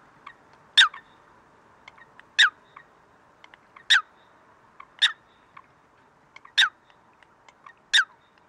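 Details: Eurasian coot recorded in Greece, February 2023: loud, abrupt, high piercing notes repeated every one to one and a half seconds, with faint softer clicks between them over a quiet background.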